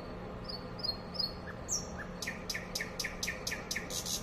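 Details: Wild nightingale song: several soft, high whistled notes slurring downward, then a quick, rhythmic string of about eight loud, sharp chips repeated steadily to the end.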